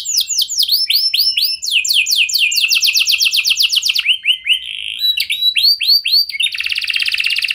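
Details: A frequent-singing canary's lure song to provoke responses from other canaries: arched whistled syllables in quick series, changing phrase types every second or two, closing in a fine fast buzzing trill.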